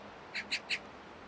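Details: A Eurasian magpie on an apartment rooftop in early November 2024, noisily facing off with crows in a territorial dispute while carrying something, gives three harsh, rasping chak notes about a fifth of a second apart, over faint background hiss.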